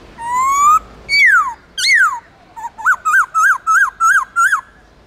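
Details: White-cheeked laughingthrush of the Central Highlands in wild-style forest song with long clear notes, played to train caged birds: a rising whistle, two loud falling slurs, then seven short looping whistled notes in a quick, even series.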